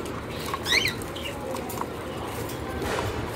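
A cockatiel gives one brief, bright chirp that rises and dips, followed by a fainter note, over steady low background noise.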